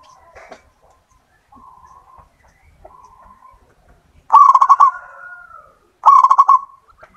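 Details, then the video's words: Local wild-type zebra dove singing actively, used as a lure: faint short coos at first, then two loud bursts of rapid staccato pulsed cooing around the same mid pitch, each followed by a drawn-out trailing note. "perkutut lokal alam. Gacor Ampuh buat pancingan"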